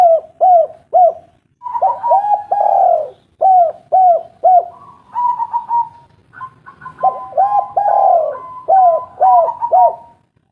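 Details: Spotted dove of a local strain, recorded as a lure to make lazy birds call. Dense, almost continuous coos, hooked and throaty, about two a second, with a sustained even tone woven between them.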